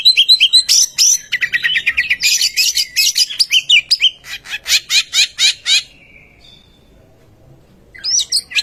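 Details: Oriental magpie-robin lure song meant to prompt other magpie-robins to sing: rapid chattering and whistled notes in quick succession, then a run of sharp repeated clicks, a thin drawn-out whistle, a near-silent pause and a final burst of warbling.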